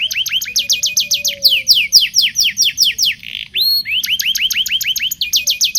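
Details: Song of a local canary used as a lure for young canaries learning to sing: rapid repeated rising chirps, bursts of descending sweeps, a brief harsh buzzy passage, then more quick upward-slurred notes, all high and bright.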